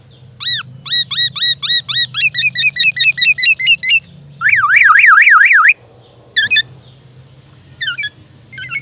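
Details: Captive black-naped oriole whose song is filled with imitated white-rumped shama phrases: a fast series of repeated sharp chip notes, then a rapid zigzag trill, followed by scattered high notes over low background hum.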